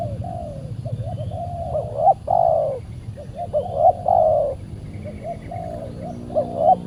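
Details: Spotted dove answering a decoy during bird trapping on a Saturday, the wild bird described as very aggressive and fierce; low cooing phrases of short rising notes, then drawn-out coos with a steady low rumble underneath.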